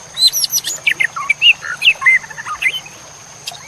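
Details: Masteran recording of white-rumped shama song meant to train competition birds: a rapid, varied stream of high whistles and bright slurred notes at roughly a hundred per minute.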